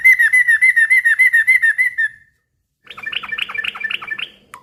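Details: Yellow-vented bulbul repeating quick, rhythmic liquid notes for about two seconds, then after a pause a burst of chattering notes, a noisy song that draws replies from other bulbuls.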